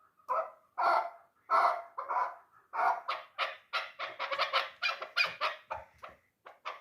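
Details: A hunting chukar called a dulan, aged three, gives several drawn-out, hoarse clucks that speed into a rapid, crowded chatter before trailing off.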